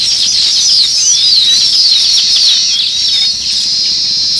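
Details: Sparrows chirping together in a dense, continuous chorus of high, overlapping twitters and short sliding whistles, with no pause through the whole stretch.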